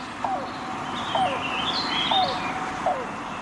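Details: A Yellow-billed Cuckoo, known in the American Midwest as the "rain crow" because its call was once taken as a sign of incoming weather, gives four hollow, gulping hoots about a second apart, each dropping slightly, over faint, thin, higher chirps.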